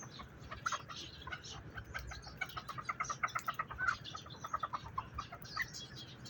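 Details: Young partridges peep in quick, high, short notes, many in a row with brief gaps, over a constant low hum.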